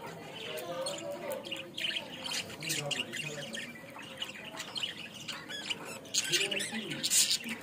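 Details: Budgerigar recorded in Bangladesh: harsh squawks and chirps over a low murmur of human talk, with brighter, louder squeals near the end.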